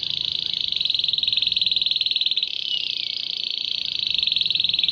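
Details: Canary singing, a song said to pull in dozens of wild canaries, goldfinches and other birds; one continuous, loud, high rattling trill of very fast even pulses running for about five seconds.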